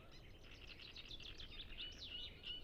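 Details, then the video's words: Great reed warblers singing in numbers on the Lake Peipus shore at Ema-Joe Suursoo Natural Reserve, Zoom F6 and Sennheiser MKH 8040 recording; loud, rasping, churring notes run in quick succession with occasional squeakier rising notes, faint low rumble beneath. "Great Reed Warbler Sound Library"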